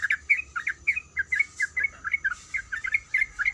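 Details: Female yellow-vented bulbul calling for a male during breeding: bright chirps in small clusters of two or three, spaced irregularly, with a brief soft hiss midway.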